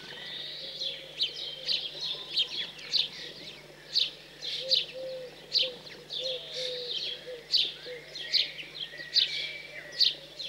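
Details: House sparrow young, just fledged, calling while fed in the cold countryside of central France, 15 June 2020; a steady series of harsh chirps a little over one a second, fairly even in loudness throughout.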